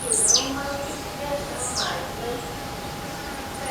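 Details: A singing Blue-black grassquit hops in forest; two quick, high, downward-slurred buzzy notes come about a second and a half apart against low rustling background noise.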